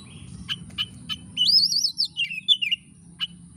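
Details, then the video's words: A frequently singing Oriental magpie-robin, played as a lure to stir a lazy bird: spaced sharp tick notes around a long fluid warbling phrase that rises and falls in loops, under a continuous high electronic whine. "kacer gacor DOR pancingan kacer malas bunyi langsung ngamuk"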